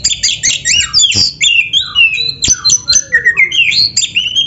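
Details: Energetic Oriental magpie-robin song used to train captive birds: a fast, varied stream of whistled slurs, sweeping rising and falling notes and harsh chirps, barely pausing, with some scratchy accents.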